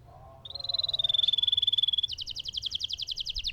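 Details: Lemon canary singing vigorously in a long roll: a steady, rapid, even trill held on one high pitch for about a second and a half, then a higher, coarser pulsed trill of about ten notes per second, over faint low background hum.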